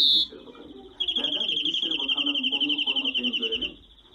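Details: A European greenfinch sings a short high note, then a long, even, nasal wheeze lasting nearly three seconds, over a low murmuring background.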